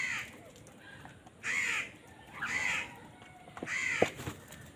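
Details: Crows squabbling over food give three loud, grating caws spaced about a second apart, with a sharp knock after the last one.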